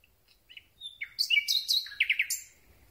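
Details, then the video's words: Close recording of a Common Nightingale singing at night: soft introductory notes swell into a loud, varied run of sliding whistles, then three quick, evenly spaced emphatic notes. "Słowik Rdzawy piękny śpiew"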